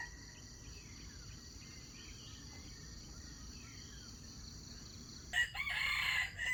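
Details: Crowing of a red junglefowl played or kept as a lure for trapping wild chickens. A single rough crow bursts in near the end, after several seconds of quiet, high insect trilling.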